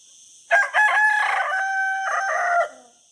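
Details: Rooster giving a full crow: a sharp opening burst, then a long, loud, harmonic drawn-out note held for about two seconds before dropping away, over a faint steady background hum.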